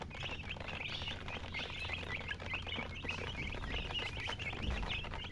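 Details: Several baby chicks peep steadily: short, high, slightly downslurred chirps repeated several times a second, overlapping into a chorus, with a low hum beneath.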